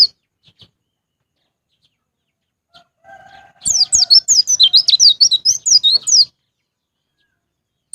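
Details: White-eye song as a lure to get caged birds singing: after near silence and a faint low hum, a two-and-a-half-second run of rapid, high, falling whistled notes.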